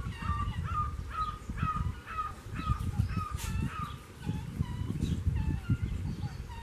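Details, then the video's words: Seriema singing near the door of a house: a loud series of yelping notes rich in harmonics, repeated about three times per second and rising and falling slightly in pitch, over low rumbling background noise. "seriema canta perto da porta de casa"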